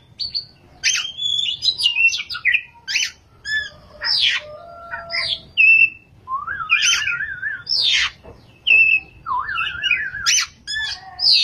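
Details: White-rumped shama, a kacer singing ngerol and nembak, pours out dense varied song: sharp high clicks, bright whistles and two distinct warbling trilled runs, phrases following closely with little pause.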